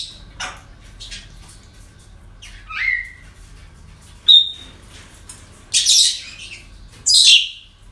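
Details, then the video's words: Parrots at a breeding centre on an ordinary day: scattered harsh squawks and a short whistled note, with bursts of noisy screeching toward the end. "Relajación Loros En El Centro De Cría"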